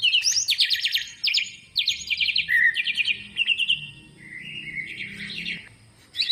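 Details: Greater green leafbird song, played as a lure to coax reluctant birds into singing: rapid rattling trilled bursts mixed with varied whistled and slurred notes, about three elements per second, ending with a drop in volume.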